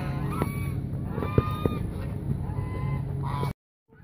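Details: Scattered nasal honks from hungry geese approaching people at Mueller Lake park, Austin, Texas, with a few sharp clicks and a low hum, cutting to silence at the end.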